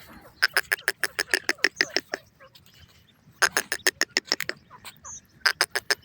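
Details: A pair of grey francolins calling: loud, rapid series of sharp repeated notes, about three per second, in bursts of several seconds separated by short pauses.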